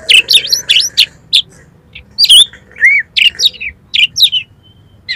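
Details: Kacer, or Oriental magpie-robin, song played to make a kacer start singing and open its tail: bursts of shrill twisting whistles and sharp chips, separated by short pauses, loud and close.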